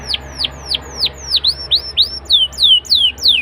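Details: Young canary lure song used to prompt other canaries to answer: a series of clear downward-sweeping whistled notes repeated about three times a second, later notes becoming longer, smoother slurs, with a faint low hum beneath.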